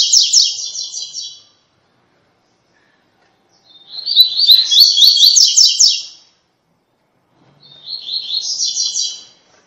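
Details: Tui tui song of a double-collared seedeater, prized by breeders and used to train brown-plumaged birds: three separate bursts of high, fast, stuttering notes, the middle one longest, with clean silent gaps between.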